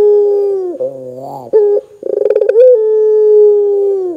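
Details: Barbary dove in lively calling form, used to prompt other doves to start calling: rapid rolling pulses swelling into a long, steady, droning coo that slides down at the end, with a lower, wavering note between.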